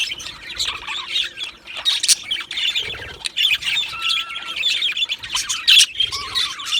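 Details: Two male Budgerigars keep up a steady, scratchy, high chatter with squawky notes and short whistled slides, broken by brief pauses.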